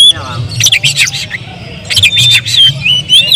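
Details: Kacer (oriental magpie-robin) in fiery lure song to provoke rivals: mostly harsh, noisy chattering bursts with a few thin rising whistles, over a constant low hum.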